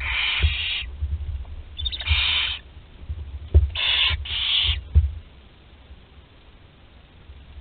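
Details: Barn owl nestling aged 13 days, filmed by nest webcam at Théding, France, on 20 July 2020 while swallowing prey whole; four rough, wheezy hisses in quick irregular succession with knocks and scuffling, then quiet.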